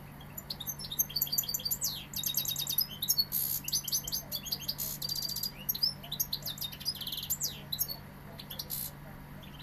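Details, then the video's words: European goldfinch from Seville delivering a long varied song: rattling series of quick repeated notes, buzzy trills and bright tinkling phrases in bursts, with short pauses between them, over a low background hum. "Jilguero sevillano"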